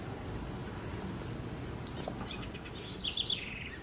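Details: Song of a house wren in Brazil: scattered faint chips lead into a loud, rapid, sparkling warble that slides down in pitch near the end, set over constant low background hum.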